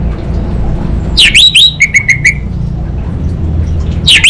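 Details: Orange-headed thrush kept for song contests in Singaraja, Bali, Indonesia, singing: a sharp V-shaped whistled slur, then a rapid run of clipped, even notes, and another swooping note at the end, over a low hum.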